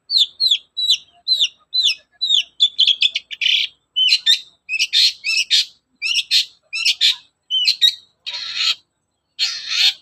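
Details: Long-tailed shrike morning song used as a lure for other shrikes: evenly repeated downslurred whistled notes about twice a second, building into louder buzzy, scratchy bursts and a final harsh rasp.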